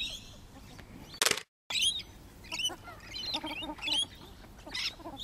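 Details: Rainbow lorikeets in trees, filmed while travelling: a flock giving shrill, screechy, rapidly repeated chattering calls, some rising whistled squeaks, with a brief loud burst and a short gap of silence.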